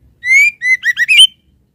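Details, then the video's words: Female white-rumped shama calling to the male: a rising whistled note, a second level whistle, then three quick slurred whistles climbing near the end, all clear and loud against silence. "SUARA BURUNG MURAI BATU BETINA MANGGIL JANTAN"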